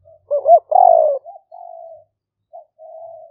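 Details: Lure-recording spotted dove of the liu-fueang style, used for trapping, recorded live among rice fields in rainy season near Nong Khu Phai, Roi Et province, Thailand, 2021: a broken stuttering coo, a long burry coo, then softer trailing coos fading out.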